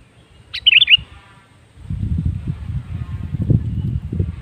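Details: Sooty-headed bulbul lure song meant to prompt other bulbuls to sing: one short, bubbly, warbled phrase of quick liquid notes. A low rumbling background noise follows.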